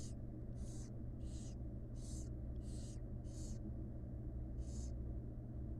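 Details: Wild barn owl chicks in a monitored nest box, fed by their mother: seven harsh, breathy hissing bursts over about six seconds, with a steady low hum beneath.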